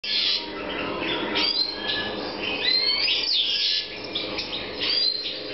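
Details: European goldfinch song recorded in 2014 during breeding. Continuous lively twittering with buzzy trills, quick slurred notes and chattering phrases flowing without pause.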